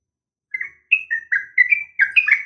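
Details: Female yellow-vented bulbul calling a male, a sharp fighting call meant to provoke a reply: a run of clear, slurred whistled notes rising and falling, with short gaps between them.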